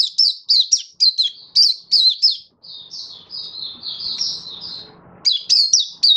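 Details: Hobby-kept Oriental white-eye in a song display, 24 February 2023: bursts of loud, sharp, high chirps, a softer slurred warble in the middle, then another quick burst of chirping at the end.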